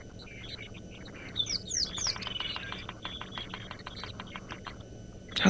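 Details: Bearded Woodpecker at sunrise around 5 AM, 31 December 2017, Sabi Sand, South Africa, seen in silhouette atop a large dead tree: fast, steady run of sharp clipped notes over other birds' chirps and low hum.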